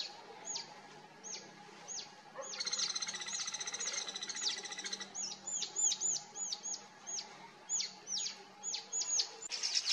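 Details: Mountain bulbul pair at a forest sanctuary near Mussoorie, Uttarakhand, in the Himalayas: high, thin, sharply down-slurred notes repeated about every half second, with a dense burst of overlapping chatter partway through.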